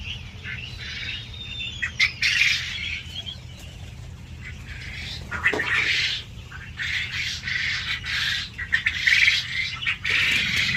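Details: Crowded quail farm in Kalihati, Tangail: a constant din of many birds with scratchy, squawking chirps in irregular bursts, a few louder clusters, and brief wing-flutter or clatter noises between them.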